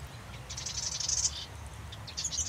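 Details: Marsh wren song: a buzzy, rattling trill lasting about a second, followed after a short gap by the start of another scratchy, chattering trill, against a faint low background rumble.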